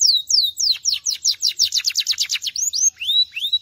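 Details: Belgian canary chirping: descending whistled slurs that speed into a rapid run of repeated notes, followed by several upswept looping whistles, high and bright.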